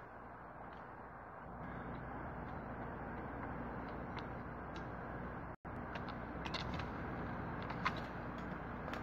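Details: Steady rumble of passing vehicles in an urban setting, with faint scattered ticks and no animal calls.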